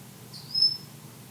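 An African grey parrot gives one brief, thin, high whistle that slides slightly upward, over a low steady hum.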